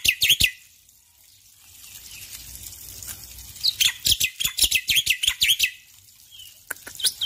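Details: Black-winged myna male in morning song, delivering clusters of harsh, high, scratchy chirps in quick bursts separated by a quieter stretch, with a softer background hiss.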